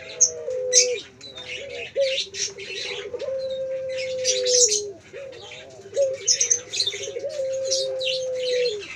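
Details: Repeated low coos from a singing male Pelung Barbary dove, each a drawn-out tone with a short dip or hitch, flowing almost without pause, with constant high chirps of other birds.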